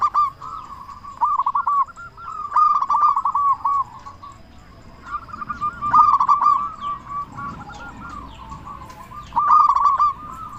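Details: Loud-voiced local zebra dove cooing to stir other doves into song: groups of rapid, bubbling coo notes ending in stressed accents, separated by softer stretches of quieter cooing.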